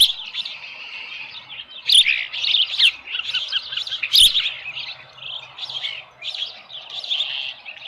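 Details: Osprey at the nest with a small live fish on a July 2018 morning, 7:10 AM. Continuous high, squealing chirps and whistled notes, rising and falling in loudness, with a couple of sharp clicks.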